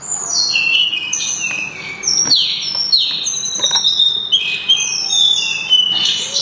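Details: Loud, clear singing from a sulingan (tledekan gunung): cascades of high whistles sliding downward, phrase after phrase, interspersed with sharp clicks.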